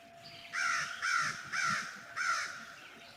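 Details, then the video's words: American Crow, common across Manitoba, gives its familiar caw call in a winter birds session: four harsh, hoarse caws, each about a third of a second long, spaced roughly half a second apart, over a quiet background. "And of course, crows have kind of that real caw noise that everybody seems to hate, except for me."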